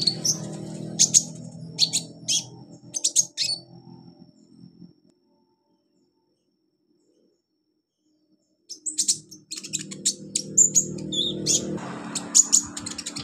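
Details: Olive-backed sunbird song made to train beginner birds: high staccato chirps over low hum, falling silent for several seconds, then resuming as busier, rapid twittering.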